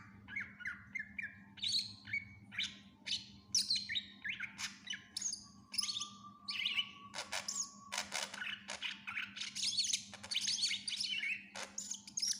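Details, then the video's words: Long, varied song from a greater green leafbird, full of mimicry and meant as tutor audio for other birds: rapid chips and whistles, a sustained low whistle midway, then dense buzzy chattering bursts, over a steady background hum. "Cucak Ijo gacor FULL Isian cocok buat masteran burung læn"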